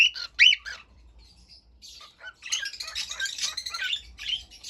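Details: Pet cockatiel calls: a loud burst of arched whistled notes at the start, a quiet gap, then busy overlapping chatter and squawks through the second half.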